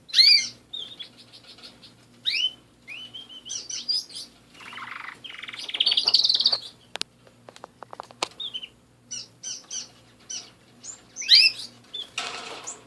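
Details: Canary kept as a pet, giving scattered high chirps, sweeping whistled notes and short buzzy bursts, with several loud clicks and knocks in between and a steady low hum throughout.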